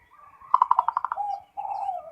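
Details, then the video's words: Local zebra dove singing continuously: a soft warbling coo, then a burst of about eight rapid, evenly spaced pulsed notes, followed after a short pause by a lower, drawn-out purring coo. "SUARA PERKUTUT FULL NGEROT"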